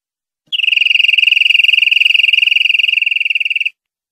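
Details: European greenfinch song from a clean 2020/2021 tutor recording for captive birds: a single sustained, rapid trill of evenly spaced notes at one steady high pitch, about three seconds long, against silence.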